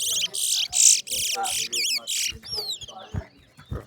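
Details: Seed finch called towa-towa singing in a race at New Amsterdam bird ground: loud buzzy rasping phrases alternate with looping whistled notes, ending with fading whistles and a few low knocks and voices.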